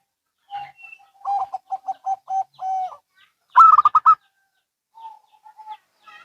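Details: Local and Bangkok zebra doves answering each other. A steady run of short mellow coos ends in a drawn-out note. One loud, higher rolling burst follows, then a few faint coos trail off.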